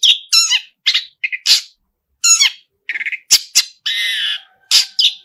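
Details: Long-tailed shrike in full 'isian' song, singing energetically: a varied medley of harsh squawks, warbled trilling bursts, short stuttered notes and a sustained buzzy phrase, delivered in quick clusters with short silent gaps.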